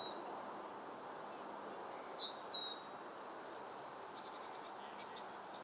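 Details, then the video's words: Lesser Goldfinch recorded 30 March 2013 gives one thin, high whistle that slurs downward, then a few faint high chips, over a steady rushing background hiss. "Lesser Goldfinch"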